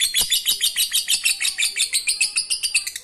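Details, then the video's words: Lovebird in fine 'ngekek' chatter, a lure for reluctant singers: three seconds of quick, high, rasping notes pulsing several times per second. "Lovebird ngekek Receh Mantap Untuk Pancingan Lovebird malas bunyi"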